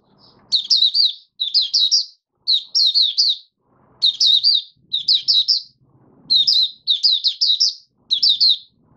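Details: A caged oriental white-eye, dewormed, sings on the fifth day of opening song. Bright, high, twittering phrases about half a second long repeat roughly once a second over faint low background noise.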